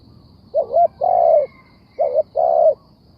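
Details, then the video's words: Spotted dove calling: two paired phrases of low, mellow coos, each a short note followed by a longer drawn-out one with a slight upward lift at its end, heard close against a quiet background. "The Sound Of Spotted Dove"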